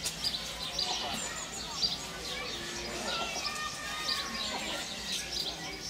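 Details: Barn swallow nestlings at a zoo in Hannover in late May beg in a busy, high twittering chorus of sharp overlapping chirps and squeaky notes as both parents bring food rapidly, over faint background murmur.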